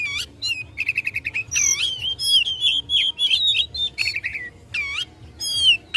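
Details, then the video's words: Oriental magpie-robin in combative song meant to rile rivals: fast series of short repeated notes, then rich whistled warbles and descending sweeps, steady and vigorous throughout. "Kacer Gacor tarung memicu emosi lawan"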